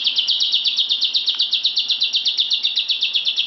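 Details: Lovebird kept indoors in a bedroom, joining in the chatter: a rapid, even trill of sharp high chirps, about four per second, running without a break through the clip.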